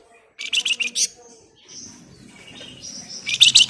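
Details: Flamboyan, the grey-headed canary-flycatcher, in full gacor song of dense ngebren and nyerecet phrases used as a singing lure. A rapid volley of harsh chirps gives way to high thin whistles, then another fast chattering burst.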